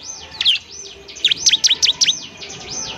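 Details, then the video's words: Ciblek, or Bar-winged Prinia, a semi-gacor bird used to train others to sing fluently quickly; a short, fast string of five or six piercing high chirps flanked by faint arched whistles. "ciblek semi gacor, JADIKAN ciblek semi bahan agar cepat bunyi gacor"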